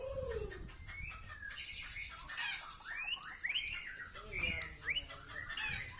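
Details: Aceh-type white-rumped shama in a yard, in its 'sailing ship' action, giving a varied song of sliding whistles and sharp high squeaky notes, with three bright high flicks near the end.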